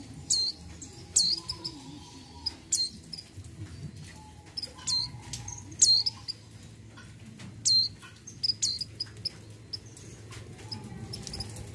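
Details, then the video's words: Female mountain white-eye in breeding condition, calling the male: short, thin, high chirps that drop sharply in pitch, scattered irregularly across the recording over a low background hum. "PLECI MONTANUS MONTY BETINA BIRAHI MEMANGGIL JANTAN"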